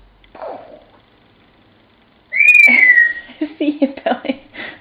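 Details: African grey parrot mimicking Pop Goes the Weasel: a soft, low murmur, then a long, clear whistle gliding gently downward, followed by a rapid burst of chattering, speech-like syllables.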